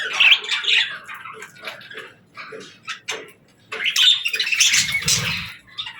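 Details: Parakeets playing and talking: a string of quick high chirps, then a louder burst of dense, buzzy warbling with a low rustle underneath.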